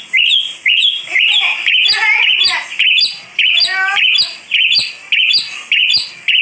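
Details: Caged Asian pied starling giving loud, repeated chirping phrases about one per second, harsh high notes broken by a few descending gurgling runs.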